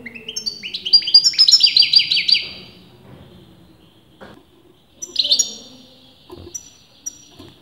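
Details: European goldfinch, its sex argued over by breeders, delivering a rising run of quick bright notes lasting about two seconds, then a shorter twittering burst, with a few soft clicks in between.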